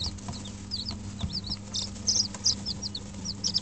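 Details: Dutch bantam and Barbu d'Anvers chicks at five days old, kept in a brooder under an electric hen on 19 April 2012, give loud high cheeping peeps in quick bursts, backed by a steady low hum.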